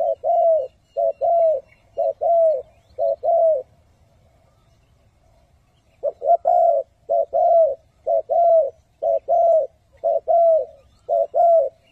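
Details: A spotted dove used as a trapping decoy to lure wild doves coos in low, hollow notes grouped in twos and threes, about one a second, with a short pause partway.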